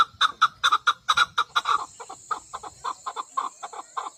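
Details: Female chukar partridge calling with loud, harsh paired clucks at first, then softer, more clipped notes. A thin continuous high whine joins halfway through.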